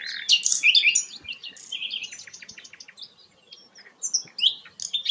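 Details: Rare sikatan londo flycatcher with a busy, high song: dense scratchy opening notes, then a rapid series of short clipped chips falling away softly before a fresh burst of bright squeaky phrases.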